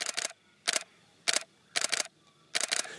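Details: Five bursts of rapid mechanical camera shutter clicks, each a quick double or triple snap, over quiet background with no animal sound.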